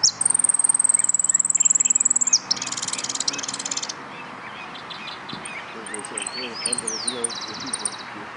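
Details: Saffron finch in a singing competition at Nuevo Irupe, 22 09 13: a sustained high, rapid trill running over two seconds. A noisy burst follows, then scattered chirps, slurred whistles and buzzy rattles from other birds amid murmuring voices.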